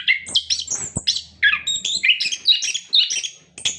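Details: Orange-headed thrush song used as a lure to prompt captive birds to sing: rapid varied whistled and buzzy phrases, sliding notes from about mid to very high pitch, dense and continuous.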